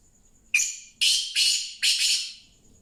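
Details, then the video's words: Harsh, scraping call of a black francolin: a short rasping opener followed by three buzzy, grating notes in a rhythmic burst lasting about two seconds, with a thin steady high tone and faint low hum behind. "kala Teetar Ki awaaz کالا تیتر کی آواز"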